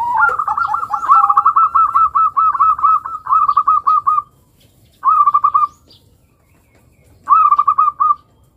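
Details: Long song of a local zebra dove, played to get young birds singing: a sustained run of fast, stuttering coos lasting about four seconds, then two shorter trilled cooing phrases after brief silences.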